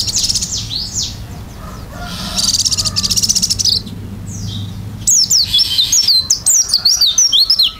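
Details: Oriental white-eye in a lively, varied song with beak open: high sweeping whistles and buzzy trills at first, then a rapid, dense warble of thin, rising and falling notes over the last seconds.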